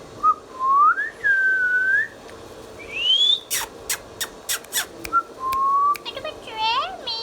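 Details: Pet ringneck parrot, an Indian green parrot kept as a talking bird, giving clear whistled calls: rising and level tonal notes, an upslurred squeal, sharp clicks in a quick series, then a harmonic squawk near the end.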